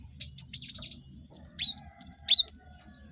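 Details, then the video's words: Cinereous tit song used as a lure to make group-caged birds start singing fast: loud clear high whistled notes, slurred and repeated in two bursts of about eight phrases, some swooping downward, with a constant thin background tone. "Pancingan gelatik batu untuk merangsang burung ombyokan cepat bunyi"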